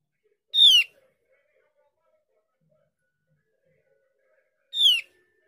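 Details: Two bright, short, falling notes about four seconds apart from a Javan grey-throated white-eye, played as a lure so that untrained or idle birds answer. Near silence between the calls.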